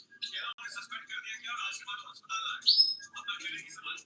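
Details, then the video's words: A canary sings a long, fast, continuous run of chirps, trills and rolled notes, with one bright high whistle near the end. "Canary Singing is live | Kenari gacor panjang Cuit Cuit EMOSI"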